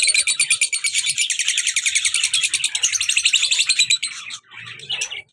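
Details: Rapid, steady trill of repeated piercing tweets for about four seconds from an active lovebird pair, male and black-masked female, ending in softer chirps.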